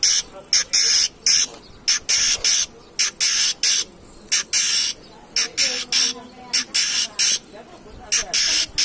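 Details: Long-tailed shrike used as a singing lure: a steady stream of loud, harsh, scratchy squawks in quick succession, broad and grating, with a faint lower murmur in the middle.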